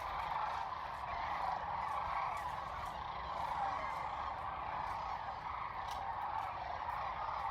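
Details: An enormous flock of sandhill cranes, part of about half a million stopping at the Platte River in central Nebraska during spring migration, gives rolling, trumpeting calls that merge into one continuous roar with no single voice standing out.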